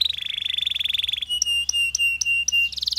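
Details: Canary singing a long song with pauses, meant to stimulate other canaries: a rapid rolling trill, then a steady whistled tone broken by sharp repeated clicks, ending on a higher buzzy phrase.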